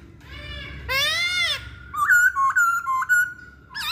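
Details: Masked laughingthrush used to prompt other birds to sing. A broad rising, harmonic note gives way to a string of steady whistles broken by short upward flicks, with faint low background hum.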